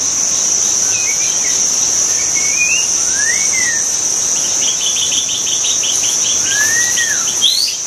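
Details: Wild white-rumped shama giving sparse, arching whistled notes spaced a second or more apart, with a short stuttering series in between, partly masked by loud continuous insect buzzing.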